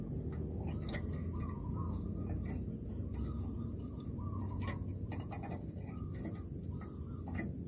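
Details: Zebra dove cooing in an oil palm plantation during a bird-trapping outing: soft, wavering trilled phrases repeated several times over steady cricket and insect buzz, sharp clicks and a constant low rumble.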